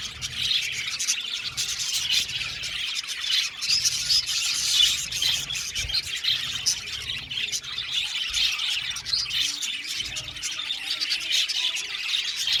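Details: Australian budgerigars in a colony aviary keep up steady twittering and warbling, with many birds calling together in a dense, high-pitched chorus.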